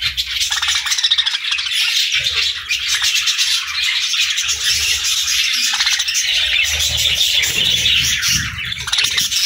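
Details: Several budgerigars chirp during morning feeding time, a dense, continuous twittering chatter of overlapping warbles and squeaks with occasional low thumps underneath.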